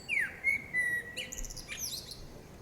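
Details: A common blackbird, which may sing to attract a mate or claim territory, sings a short phrase: a falling fluted note and level mellow whistles, ending in a brief, high, squeaky twitter.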